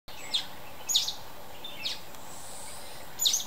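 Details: Mountain bulbul giving four sharp, high, downward-slurred notes at irregular intervals over a steady hiss of background noise.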